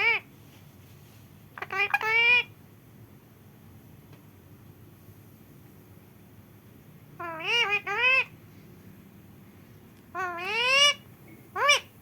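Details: Home-raised rescued parrot that cannot fly, taught to speak since it was small, in India, uttering short bursts of mimicked words: harmonic, wavering, whiny syllables in clusters separated by pauses of several seconds, in a quiet room.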